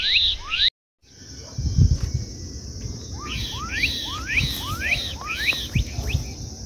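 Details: Black-capped Donacobius (japacanim) singing at Lago do Búfalo: a quick run of loud whistled notes, each sweeping sharply upward, repeated about twice per second after a brief break, over a steady high buzz and low rumble.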